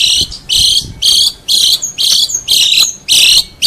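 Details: Long-tailed shrike master song for tutoring songbirds: loud harsh buzzy bursts repeated about twice a second, each a broad scratchy band, with faint background speech.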